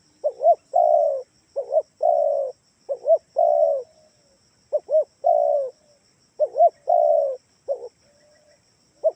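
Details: Lure call of a spotted dove, used to prompt other doves to answer: repeated phrases of two quick rising-falling coos and a drawn-out level coo, about six cycles, clean with only a faint electrical hum.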